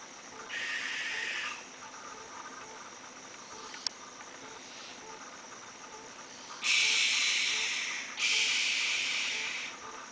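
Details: Young owls, one of three owlets living in a backyard, calling at night. The sound is loud, harsh, hissing screeches about a second long. There is one burst early, then two close together near the end, over a faint steady background hum.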